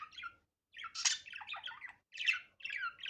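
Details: Budgerigar calling in its natural, unedited voice: scratchy chattering phrases and squawky chirps in short bursts separated by brief pauses, high and buzzy.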